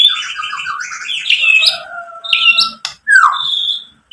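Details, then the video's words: Lure song of a white-rumped shama to rouse other shamas: layered buzzy phrases, a long low whistle, a sharp click, then a clear descending whistle. "SUARA MURAI BATU memancing EMOSI jadi BUNYI NYAUT GACOR BONGKAR ISIAN | PANCINGAN MURAI"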